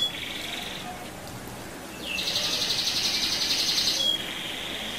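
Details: ['Canary lure song meant to provoke other canaries into singing. A steady whistled tone is followed by a dense, buzzy rolling trill that lasts about two seconds. A softer whistle then returns.']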